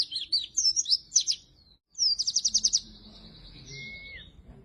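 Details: Oriental white-eye singing constantly, a recording meant to lure and train lazy-singing white-eyes: loud, high, quick chirps, a brief pause, then a fast run of about seven bright repeated notes trailing into fainter high twittering and a thin whistle.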